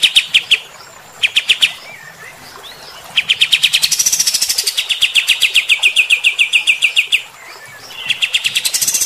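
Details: White-shouldered triller singing hard in rough 'tembakan kasar' style to provoke combative birds: short clusters of sharp chips, then a sustained rattling run that turns buzzy and bright before resuming in quick clipped notes.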